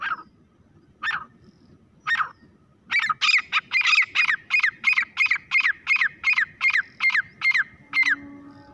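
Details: Grey francolin (teetar) calling: three slow, harsh introductory notes, then a rapid, rhythmic run of about fourteen loud ringing notes, nearly three per second, ending abruptly.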